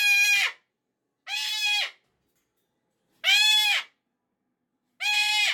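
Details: Indoor pet cockatoo having a Monday morning meltdown over the weekend ending: four loud, harsh, ringing screams, each about half a second long, spaced roughly every two seconds.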